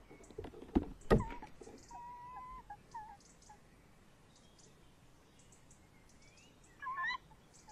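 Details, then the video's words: Evening at a nest box where a male tawny owl sits with the female nearby: heavy thuds, then a steady flat tonal note and short clipped calls, a louder twisting call near the end. "Bosuil M in de kast V buiten uilen lang te horen"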